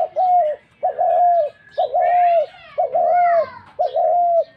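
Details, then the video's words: Dove calling in a steady series of five even, hollow, fluted coos, each about half a second long with a quick rising start, repeated roughly once per second; faint thin chirps from another bird sit above. "Seii mair Dak Gugu pakhir dove"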